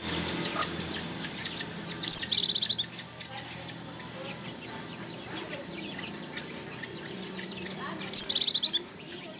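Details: Oriental white-eye, used as a lure to set other white-eyes singing in ngecir style: two short bursts of rapid, high, buzzy repeated notes, far apart, over faint scattered chirps from other small birds.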